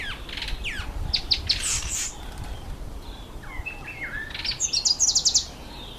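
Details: Red bishop, a male in breeding plumage during the October–November breeding season, near reeds over water. Thin slurred whistles and scratchy notes build into a fast, sizzling run of high buzzy pulses, with other chirps in the background.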